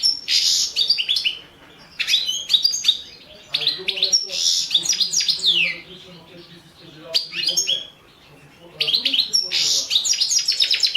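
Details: European goldfinch of the Balkan subspecies, Carduelis carduelis balcanica, in a 2017 internet song championship recording: bursts of harsh buzzy notes and sharp twittering with descending slurs, four phrases separated by short quiet gaps.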